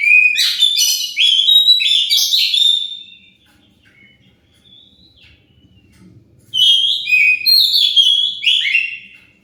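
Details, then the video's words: Oriental magpie-robin lure song to draw answers from other birds: a rapid run of loud, chirpy whistled notes for about three seconds, soft thin notes in a pause, then another busy, scratchy burst of whistles. "Pancingan Kacer pasti nyaut"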